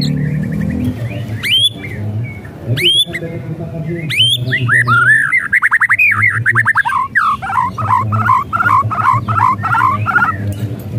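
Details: White-rumped shama whistles and rattles meant to provoke a silent bird to sing: sharp upward-sweeping notes, then a long run of rapid warbled, rattling phrases with varied pitch, over constant low hum.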